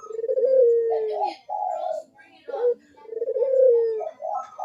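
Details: Barbary dove giving repeated low coos, a lure sound to get idle doves calling: two long, mellow, downward-sliding coos, each followed by shorter rolling notes, with a few faint high bird chirps.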